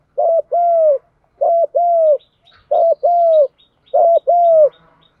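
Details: Spotted dove in the 'Đồng' cooing voice, played to stir newly caught birds into cooing: four regular low phrases, each a short double note then a long descending coo, with faint high chirping in the background.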